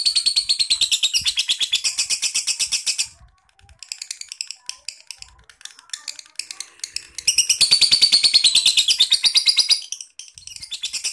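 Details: High, buzzy lovebird chatter in fast pulses runs for three seconds, drops to softer scattered notes, then returns loudly near the seventh second before a brief break.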